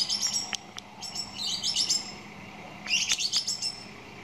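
A song thrush gives three quick bursts of bright, high chirping notes in about four seconds, with short pauses between phrases and a faint low hum behind.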